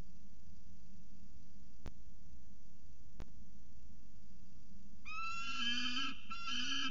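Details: Peregrine falcon at CSU Orange on 3 December 2018, one bird following another: after steady low hum and two sharp clicks, a loud grating wail breaks in near the end, repeated in two harsh bursts.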